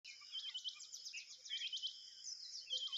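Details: Tailorbird chicks being fed a big worm, giving high, thin chirps in quick uneven bursts that run almost without pause for three seconds over a faint, steady background hiss.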